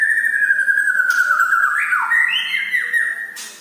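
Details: White-rumped shama of the Medan type in full song: one long steady whistle, then a warbling twist of rising and falling notes, and a short bright burst at the end.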